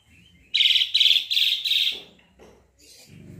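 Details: Four rapid, rasping, buzzy bursts from a Sooty-headed bulbul, evenly spaced and loud, trailing off into soft knocks and a low hum.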